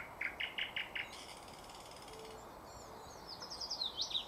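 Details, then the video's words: Thrush nightingale song, 2024, with bird catching: five evenly repeated sharp notes, a softer buzzy stretch, then a faint high trill of twisting whistled notes, over steady background hiss. "bulbul ovi vostochniy Nightingale singing соловей восточный"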